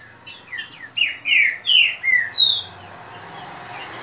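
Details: Green-winged saltators kept by their owner compete in a fast singing contest: loud descending whistled slurs, about five in a row, mixed with higher sharp chirps and quick tweets from another bird.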